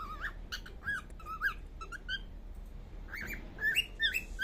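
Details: Baby cockatiel making sounds while sleeping, giving soft, short whistled chirps that rise and fall, scattered irregularly with brief pauses, over a faint background hiss.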